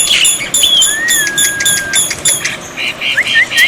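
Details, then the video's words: Black-winged myna tutor recording paired with water therapy, meant to make silent birds answer: a long, level whistle held for about a second, then short rising whistled notes over a rapid ticking chatter. "masteran burung jalak putih, jalak putih macet pasti nyaut"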